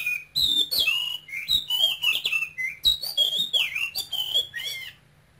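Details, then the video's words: Caged male oriental magpie-robin from Cambodia, brought to Vietnam as a youngster, singing keenly and continuously in a high voice: rapid loud whistled phrases sliding up and down, notes following each other with barely a pause, low steady hum behind. "CHÒE THAN campuchia TRỐNG kêu sung Hót hay"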